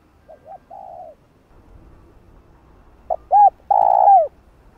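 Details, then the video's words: Lure calls of spotted doves for trapping wild birds in Vietnam: a quieter double coo with a long croo, answered by a louder phrase of quick coos ending in a strong falling croo. "Tiếng cu gáy gọi thúc gù kích mồi tập bổi, kích bổi ức chế gáy nhanh"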